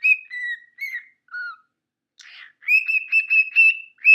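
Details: Male pet cockatiel whistles the tune "Tequila" in clear, sliding notes, then a quick run of repeated whistles.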